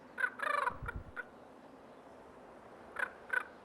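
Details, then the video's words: In early April, with snow on the ground in Yellowstone's Lamar River Valley, a nesting common raven harasses a great horned owl with harsh, rattling alarm calls in short bursts: a quick cluster, a pause, two more; a low thump. "this raven refuses to be bullied, defending its territory with a series of harassing moves and alarm calls."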